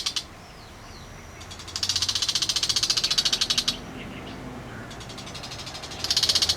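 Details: Bull-headed shrike calling loudly, a harsh grating chatter of rapid pulses, about three or four per second, in two long bursts separated by a quiet stretch, with a third burst starting at the end; faint background hum.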